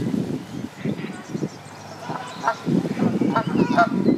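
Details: Canada goose at a pond, the female laying eggs while the male keeps watch; short nasal honks come near the end in quick bursts over low, rumbling grunts and other close noises.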